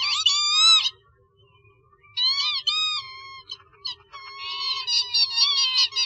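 Northern lapwing giving wheezy, slurred calls that rise and dip, in bursts of about a second with short pauses between.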